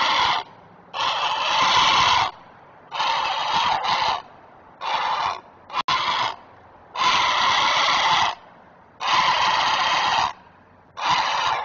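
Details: Great blue heron parent at a nest in the Chesapeake area, giving alarm calls while protecting its young: harsh, broadband squawks about a second long, repeated in a steady series with short pauses.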